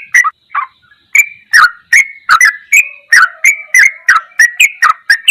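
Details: Sooty-headed bulbul, goklikan ropelan style, masteran recording: two isolated notes with a short pause, then a steady stream of clicky, down-slurred chirps at about two or three per second until the end.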